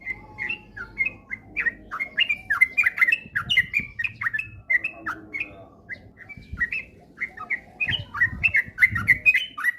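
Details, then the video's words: Sooty-headed bulbul lure song for coaxing a kept bird into rapid, frequent singing. Long chattering series of slurred whistled notes, at times doubled quickly, with faint low bumps in the background. "pancingan trucukan agar cepat ropel gacor rajin bunyi"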